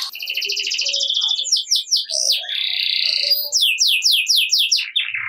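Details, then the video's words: Singing canary meant to coax lazy canaries into song; dense trills and a long buzzy roll, then a run of quick descending slurred notes repeated about four times a second, with faint low background hum. "Kenari Gacor Ngerek Cocok Buat Kenari Yang Malas Bunyi Jadi Ikut Bunyi Seketika || Voice of Canary"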